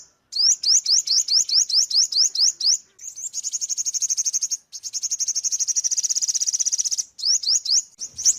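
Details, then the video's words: Ornate sunbird singing: about nine sharp, high, upslurred notes at roughly three per second, then two long, dry, rapid trills, then more quick rising notes at the end. "Tiếng chim Hút mật 5 màu | Ornate Sunbird | นกกินปลีอกเหลือง"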